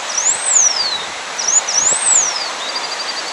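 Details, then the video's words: A Blue Finch (campainha-azul), a species typical of Brazil's Cerrado, sings thin, very high whistles that arch up and slide down, twice about 1.5 seconds apart, then faint quick ticking notes over steady hiss. "Campainha-azul (Blue Finch) cantando"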